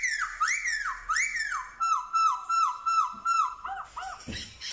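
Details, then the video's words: Black-throated laughingthrush from Vietnam, singing many voices and copying dogs, cats and chickens: two long looping whistles, then a quick string of six lower wavering whistled notes and a few short yelps. "Khướu bạc má hót giả giọng chó mèo gà như thật"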